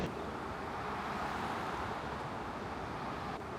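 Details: Steady broadband road and vehicle noise with some wind, and no animal calls.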